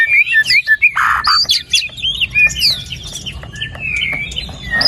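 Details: White-rumped shama song used as a prompt for a quiet bird: dense chattering of varied whistles and harsh buzzy notes, loud at first, then softer scattered phrases with a long whistled slur.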